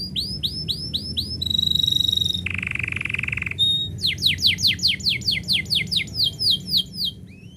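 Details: Canary singing as its owner is about to leave: fast rising whistled notes, then a steady trill, a buzzy rolled phrase, and a long series of repeated sweeping notes about four per second, with low room hum beneath.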